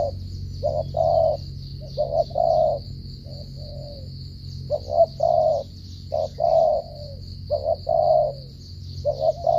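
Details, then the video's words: Spotted dove from Cà Mau giving a stuttering coo style: low two-part coos, a short note then a longer one, repeated irregularly, over a steady high insect-like whine and low hum. "thổ trận âm tốt giao long lở gù cà lăm"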